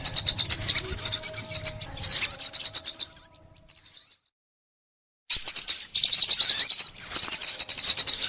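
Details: A sunbird in Vietnam, in a recording used for bird trapping, gives thin, very high twittering bursts of rapid chirps, about three a second, broken by a brief near-silent pause before the fast chatter resumes.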